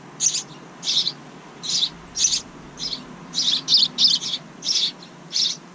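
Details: House wren chicks in a bird house outside a kitchen window, the second family raised there this year; high, harsh, hissing bursts come in uneven series, about ten in six seconds, over a faint background hum.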